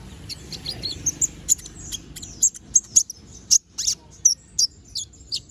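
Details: Brown-throated sunbird (konin) in full ngobra song with sharp tembakan notes: dense, very high, piercing chips and slurred whistles given almost continuously, several per second, over a light background hiss.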